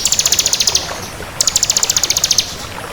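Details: Crystal bar-winged prinia sings two brisk, evenly ticking high trills of roughly fifteen notes each, with a brief gap between them.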